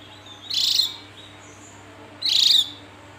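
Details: Javan white-eye giving two short, high, thin chirping bursts about two seconds apart, each a quick cluster of sharp notes, over a quiet background.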